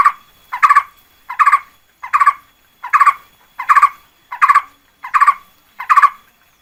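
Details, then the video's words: Red-whiskered bulbul, 2024 lure song: a lively bubbling phrase of several rapid notes, sounded nine times at a regular, brisk pace with clean pauses between, no other sounds. "Tiếng chim corot mồi chuẩn 2024"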